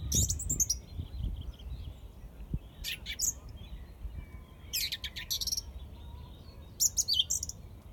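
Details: Song thrush singing in Izmailovo: short bright phrases of rapid high notes and trills come in bursts about every two seconds, separated by pauses, over a low steady background rumble.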